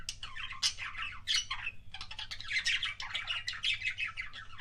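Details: Budgerigars giving kissing sounds: dense, scratchy chattering warble of quick chirps and squawky notes running almost without pause, over a low background hum.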